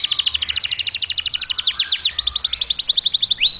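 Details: Canary (Serinus canaria), song.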